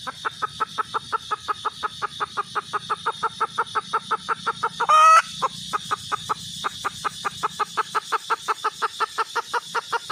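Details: Red junglefowl hen clucking rhythmically for ten seconds, the series broken once midway by a short harsh squawk, with a thin high tone in the background.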